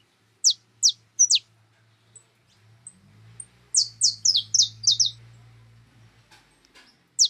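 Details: Wild birds at a cracked-corn feeder give three spaced high chirps, then a fast cluster of rasping, descending notes, with a single chirp closing. A deep mechanical drone rumbles underneath in the middle.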